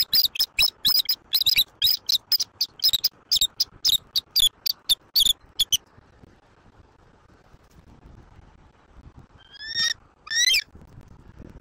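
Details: Bald eagles at a nest in Southwest Florida, filmed on a live nest camera on a late-October morning: a rapid run of about thirteen high, thin, squeaky piping notes over six seconds, then a pause and two descending squeals.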